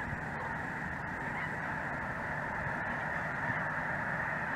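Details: Mixed flock of Snow Geese and Greater White-fronted Geese, perhaps with a Ross's Goose, calling over southern Indiana on a cold winter afternoon; a continuous wash of overlapping honking at moderate loudness, with faint low rumble beneath.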